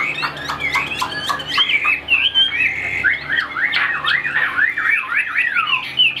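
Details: Caged Chinese hwamei, a Vietnamese songbird noted for fast delivery: harsh squawky notes and clicks open the clip, followed by a quick run of repeated zigzag whistles that rise and fall.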